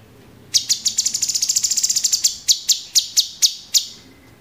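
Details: Caged Orange-bellied Leafbird (cucak cungkok) giving master song for training: a quickly accelerating series of high chips merging into a fast rattle, then slowing into about eight separate sharp notes.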